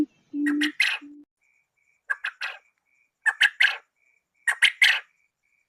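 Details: Trapping lure of male and female quail: two low hoots, then clusters of harsh, scratchy chirping notes in quick groups of three to four, separated by pauses of about a second, with a faint thin whistle between.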